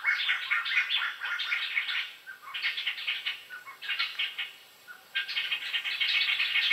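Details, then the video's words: Black-hooded laughingthrush delivering bursts of rapid, scratchy chattering notes, broken by short pauses between each outpouring. "Khướu đầu đen. khướu indo"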